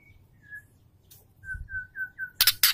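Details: Female Oriental magpie-robin calling a male, used to make males sing and grow aggressive: soft, level whistled notes, several repeated in a quick even row, ending in two sharp clicking snaps.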